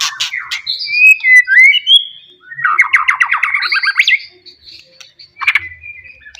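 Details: Loud song of a wild white-rumped shama from the forest, meant to provoke rivals: sharp opening notes, smooth whistled slurs, then a rapid rattling trill and a final chirp.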